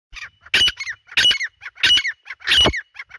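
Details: Grey francolin (dhakni teetar) calling in the jungle: loud, harsh, ringing notes, each with a rising whistled tail, repeated about every two-thirds of a second. Four calls are heard in steady rhythm.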